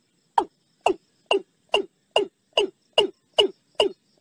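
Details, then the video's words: Watercock (Gallicrex cinerea) lure call used by bird trappers: a steady run of hollow, downslurred 'kok' notes, about two per second, ten in a row, against a quiet background. "suara pikat burung ayam-ayaman sawah"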